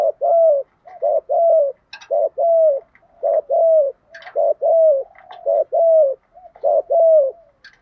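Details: Spotted dove (cu gáy) lure recording with a deep 'giọng thổ' urging coo: a rapid, steady series of loud low hollow coos, paired notes repeating about once a second, with faint higher clicks between.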